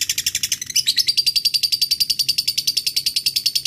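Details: Lovebird giving a long 'ngekek' chatter used to call a rival: a fast, steady run of harsh, high, buzzy notes that rise in pitch after the first second and then hold level. There are no other clear sounds.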